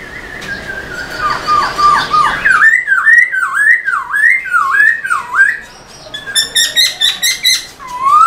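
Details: Caged black-throated laughingthrush singing energetically while fanning its tail, played to rouse other kept laughingthrushes: a rapid run of loud whistled notes swooping down and up, repeated about twice a second, ending with harsher chattering bursts and a rising whistle.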